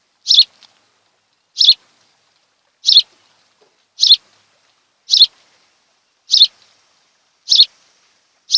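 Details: Osprey pair at their nest on Kent Island, Maryland, 26 July 2018 in the afternoon: eight evenly repeated, shrill, high chirps, about one every 1.2 seconds, over a quiet background.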